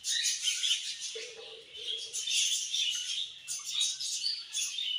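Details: Budgerigars chirping: continuous overlapping warble of high, scratchy twitters and chatter from several birds, with a brief lower hum partway through.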